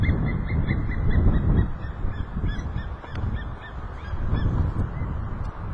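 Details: An eagle named Nova, recorded 3 March 2012, gives a quick series of thin, high piping notes, about three a second, over a steady low rumble of wind or background noise.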